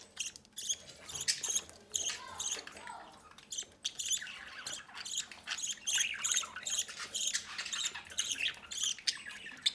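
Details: Pair of pet budgerigars feeding a chick from the nest entrance: dense, scratchy high-pitched squawks and chirps repeating in rapid bursts throughout, with overlapping raspy calls.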